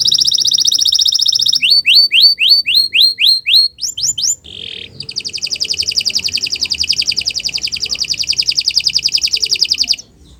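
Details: Canary delivering long song meant as a model for teaching other birds: a dense high trill, a series of about ten sweeping slurred notes, a short buzzy note, then a sustained rapid rolling trill that stops abruptly.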